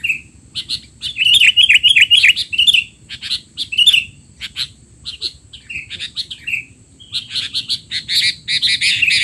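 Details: Noisy sooty-headed bulbul calling, kept as a tutor recording for young birds: dense runs of sharp chirps and rattling twitters in long bursts, with brief pauses between them, and a constant thin high tone behind.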